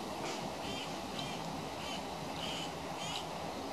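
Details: One of three young currawongs in trees around a house, all wanting food, gives short, harsh, high squawks about every half second over a steady hiss of background noise.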